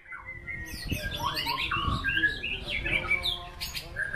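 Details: White-rumped shama (murai batu) performing a varied, rich song: rapid whistled phrases and sharp chattering notes that jump between pitches, with some low thumps and background noise beneath.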